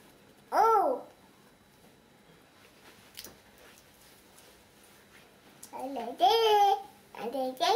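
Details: Grey parrot kept indoors, at breakfast: a loud rising-falling whistled squawk, a quiet stretch with faint clicks, then several harmonic whistled and creaky calls in a row.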